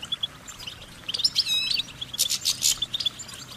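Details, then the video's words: High goldfinch song with quick chirps, a rapid buzzy trill and loud chattering twitters in the second half, all bright and metallic-sounding. "Goldfinch Singing their Song"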